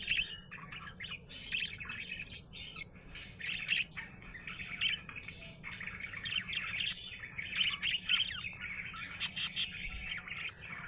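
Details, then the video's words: Cheerful budgerigar chatter: nonstop twittering, squeaky chirps and buzzy warbled phrases with a few clicking bursts, lasting about eleven seconds above a low hum. "Happy budgie chirping sound"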